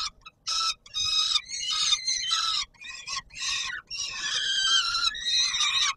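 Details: Peregrine falcon calling at feeding time on the Palace of Culture and Science, Warsaw, 17 July 2022. Grating, nasal wails come in quick bursts of varied length, some short and clipped, others drawn out.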